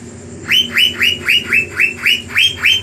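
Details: Blue magpie (cucak biru) song used to provoke rival birds: loud, harsh rising notes repeated about every quarter second in a steady series of nine, over a low background hum.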